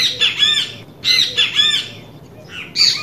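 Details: Great kiskadee recorded in the wild, calling loudly: harsh, buzzy, harmonically rich three-part phrases given twice in quick succession, followed by further rasping, squawky notes.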